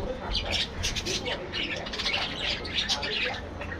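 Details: Colony-aviary budgerigars twitter in a steady stream of high, squeaky chirps and warbled notes, many birds calling at once over a low hum.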